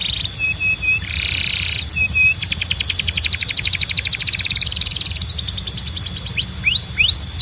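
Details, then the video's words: Canary training song for young birds: short paired buzzy notes and a harsh churr give way to a long fast even trill, then a few clear swooping whistles near the end. "You Won’t Believe How Fast Your Canary Starts Singing"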